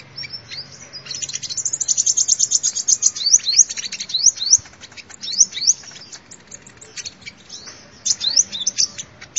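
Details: Sunbird singing, presented as a lure sound: a fast, chattering series of high clicks followed by a run of quick upward-sweeping whistled notes, then more scattered twitters.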